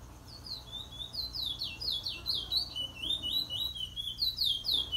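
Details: Trinidad bullfinch, April 2021, singing a sustained Luther Vandross wheet drawl as a teacher bird: continuous high whistled notes, each sweeping downward, delivered in a rapid, rolling sequence for five seconds.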